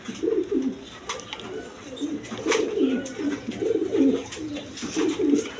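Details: Male Lahori domestic pigeon shown calling: low, rolling coos in short bursts, roughly every second, with faint knocks and clicks in the background.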